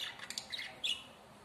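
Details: Two pet budgerigars, a pair shown loving each other, give a brief burst of harsh scratchy chatter: several short raspy squawks followed by one sharper, louder chirp near the end, then quiet.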